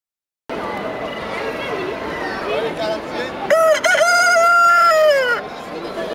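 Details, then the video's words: Rooster at the 2010 agricultural show crowing once: a loud, harmonic cock-a-doodle-doo held for about two seconds, ending in a falling slur, over the steady murmur of a crowd and voices in a large hall. "Chant du coq au Salon de l' agriculture 2010"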